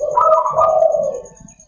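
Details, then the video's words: Local zebra dove cooing in the morning as a lure and training song: a short burst of layered, rolling mellow coos, high and low tones together, then fading into quiet. "Suara Terapi Perkutut di pagi hari agar cepat gacor"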